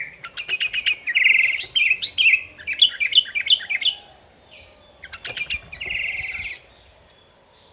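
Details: Lively sooty-headed bulbul song meant to draw rivals into singing: a run of quick whistled and chirped phrases, short buzzy trills, a pause, then another chirping burst and a brief high note at the end.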